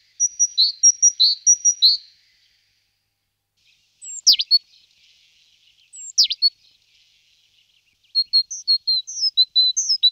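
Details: Great tit in the process of moving into a nest box: a string of short mixed chirps and whistles, then a couple of steep descending sweeps. A final burst of varied high, squeaky notes ends the sequence.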